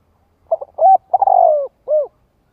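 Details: Single spotted dove coo phrase for calling decoy males to reply: a quick stuttered note, a short coo, a long rolling falling coo, then a final clipped coo, with silence around.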